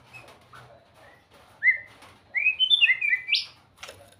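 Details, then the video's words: A white-rumped shama gives a few soft whistles, then a bright cluster of quick slurred whistled notes ending in a sharp upward sweep, over low background rumble and a faint wing-like flutter. "เสียงนกบินหลาดง ร้องเสียงเพราะ"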